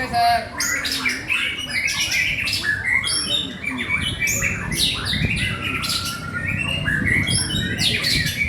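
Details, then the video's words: Energetic song of a white-rumped shama, Indonesia: fast runs of bright whistles and clipped chirps, rising and falling phrases repeated every second or two, over a constant low hum. "murai mandala"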